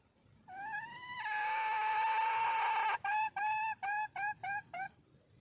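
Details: Red junglefowl hen calling for a mate: a drawn-out, steady, nasal mid-pitched note lasting about two and a half seconds, then a quick run of six short clipped notes. No other clear sounds.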